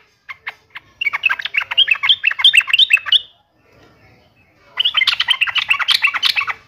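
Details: Yellow-vented bulbul (trucukan), in energetic gacor singing while challenging and taunting an opponent: dense, excited chattering of rapid squeaky notes in two bursts with a short pause between them.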